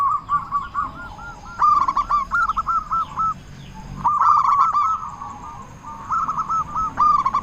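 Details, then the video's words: Loud local zebra dove song used to provoke other doves into calling: several bursts of fast, rattling coos, with fainter doves and a high thin tone in the background. "Perkutut Lokal Gacor Suara Besar Pancingan Burung Perkutut Agar Cepat Bunyi"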